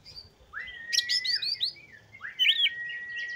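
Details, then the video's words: Oriental magpie-robin singing to provoke rival magpie-robins and stir their breeding urge: long level whistles near two kilohertz rising from a swoop, broken by a burst of quick high chirped notes, then a second swoop and whistle. "Kacer Gacor Pancing Emosi dan Dongkrak Birahi Kacer Lain Agar Lekas Gacor"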